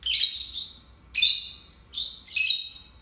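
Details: Two pet lovebirds kept together indoors, a lovebird chirping session: three bursts of harsh, high chirps about a second apart, each sliding down into a shorter buzzy note.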